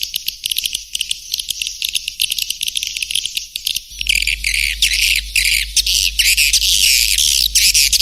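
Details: Swiftlet calling sound used as a lure: dense high clicking twitter, thickening halfway through into loud buzzy chatter, with a constant low hum beneath.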